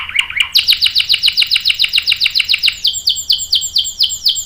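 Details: Singing canary in a long 'ngerol' roll for training young males: a brief low warble, then a steady run of quick downward-sweeping chirps that slows into broader, evenly spaced swoops.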